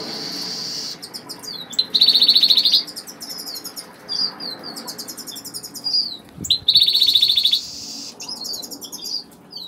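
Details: Major Goldfinch in agate colour, kept in a home aviary, singing: bright high twittering with buzzy trilled bursts and quick repeated notes, interrupted by a brief knock.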